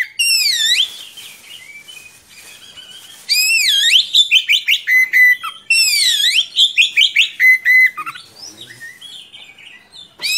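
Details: Oriental magpie-robin singing continuously as a tutor for young birds: two loud phrases of swooping whistles followed by quick repeated rising notes and a flat whistled note, separated by quieter twittering.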